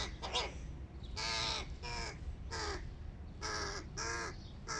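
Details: Big hooded crow chicks begging at breakfast, giving raspy, drawn-out caws with wavering tones, some short and clipped, others nearly a second long, over low background noise.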